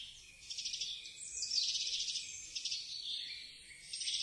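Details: Eurasian wren song recorded on a Zoom H6: a loud, rapid, high-pitched cascade of trills and sharp twittering notes, fast rattling bursts running almost continuously for about four seconds over a quiet background.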